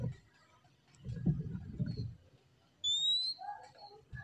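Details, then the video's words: Oriental magpie-robin in relaxed song: after a low rumbling stretch, one clear, high whistle rises steadily and is followed by a few softer, lower notes. "KACER KICAUAN SANTAI NYA BIKIN HATI JADI TENANG"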